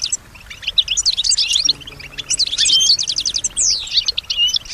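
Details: Goldfinch singing, a European goldfinch kept as a pet that reportedly copies surrounding birds and voices; jumbled twitters, sweeping whistled slurs and buzzy notes in quick succession, with a faint hum beneath.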